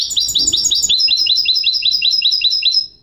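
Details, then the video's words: Goldfinch hybrid (mule) song: a rapid, steady series of clear rising chirps, roughly five per second, shifting mid-phrase to a slightly higher repeated note, loud and clean with little background noise. "chant mulet de chardonneret"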